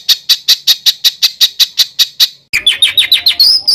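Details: Bird song used as a master recording for training competition songbirds: a run of about eleven sharp, evenly spaced chirps, roughly five per second, then an abrupt cut to quicker descending twittering with clear whistled notes.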